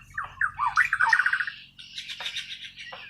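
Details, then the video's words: Bornean white-rumped shama from Kalimantan in natural, untutored song: a quick run of rising and falling whistled notes followed by harsher rasping, buzzy phrases, over a faint low background hum. "Kicau Burung Murai Borneo island"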